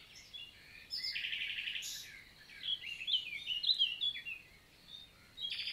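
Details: Nightingale (Luscinia megarhynchos) singing by day on a June 2023 morning in a forest in the Célé valley, Lot, France. Varied phrases include a buzzy burst, sharp clicks, then a rich run of tumbling, warbled chirps, ending with a short rattle.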